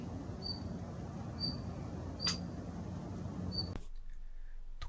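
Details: Daurian redstart, a winter visitor often heard in residential areas, gives its call, likened to striking flint: thin, high whistled notes about once a second with one sharp tick, over a steady low rumble.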